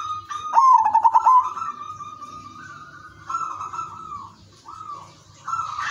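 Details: An udanmas silver zebra dove singing its melodious song, used to spur other zebra doves to sing; one fast stuttered burst of coos at the start, then softer sustained tones and short separate notes.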